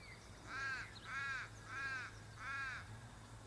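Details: A native Australian raven in a red, rocky landscape with native cypress trees gives four harsh, drawn-out caws in steady succession, roughly every half second, over a low background hum.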